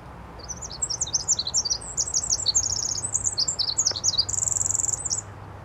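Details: Pacific wren song from the Tumbler Ridge area of northern British Columbia: a fast, high, shrill cascade of tinkling notes and trills, with a mechanical buzzy trill near the end, and a faint low hum beneath.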